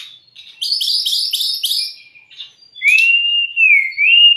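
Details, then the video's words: A white-rumped shama sings on a training and lure recording for young or stressed birds: a rapid series of rasping buzzy notes, then a long, smooth, undulating whistle. "MASTERAN DAN PANCINGAN SRDC"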